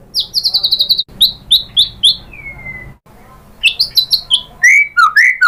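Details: White-rumped shama song used as a lure to get another shama singing: a rapid high chattering trill, crisp chirped notes, a long falling whistle, then mixed high chirps and lower looping whistles after a brief pause.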